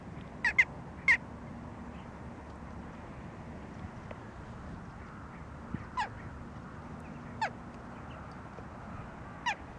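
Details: A Western jackdaw gives short, sharp 'tchak' calls, some doubled, spaced irregularly over a low background rumble, recorded December 2013.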